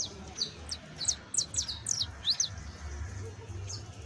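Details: Saffron finch (Sicalis flaveola) singing short, sharp high chirps, scattered irregularly in quick bursts over a steady low background rumble.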